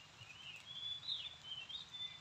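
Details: Oriental magpie-robin (Copsychus saularis) parent, part of a calling pair that grows noisier as its nest area is approached, gives an alarm call: a thin, high whistle wavering up and down for about two seconds over faint outdoor hiss.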